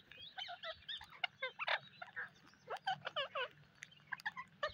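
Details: Parrots on a rainy day: a run of harsh, squawking and chattering calls, some with quick rising-falling notes, coming in irregular bursts over a low background hum.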